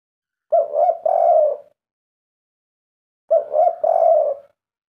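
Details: Kept spotted dove singing the kuk 3 style prized by its owner: two separate phrases of deep, mellow coos, each a short note followed by a longer rolling one, with silence between.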